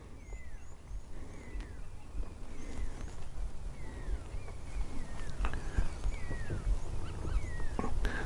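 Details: Several pearl-spotted owlets at Pridelands Conservancy, South Africa, in the morning near lions, give loud, clear, descending whistles one after another, making a big noise over a low engine rumble.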